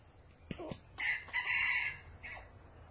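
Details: Red junglefowl at a trapping site in Vietnam giving a more distant crow: a couple of quick clucks, then a hoarse drawn-out phrase and a brief trailing note, set against steady background hiss and a faint high whine.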